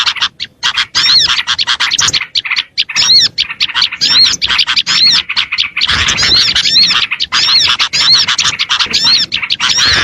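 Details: Lure chorus of Oriental white-eye (pleci) used to attract small birds: almost continuous high-pitched chatter, sharp chips and looping whistled notes overlapping throughout, with only a few short breaks.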